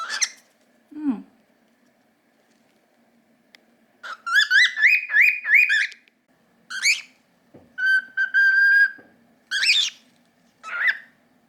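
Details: Pet cockatiels, a normal pied and an albino, held in the owner's hand indoors: varied whistled and chattering calls, a run of rising harmonic-rich chirps, then sustained flat whistles, with a person speaking softly nearby.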